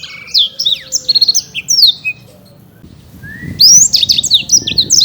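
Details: Champion caged Black-throated canary in Bekasi: two bursts of high, rapid chirping song separated by a quiet gap with a soft rising whistle.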